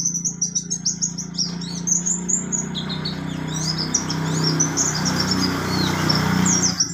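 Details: Mountain white-eye (buxtoni form) in a fast, high, twittering song of rapid chirps and slurred whistles, almost non-stop, over a steady low mechanical hum.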